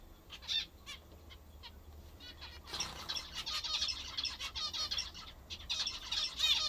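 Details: Pet zebra finches feeding on the food they love most: scattered nasal beeps at first, then a denser stream of overlapping, trumpet-like chirps from several birds.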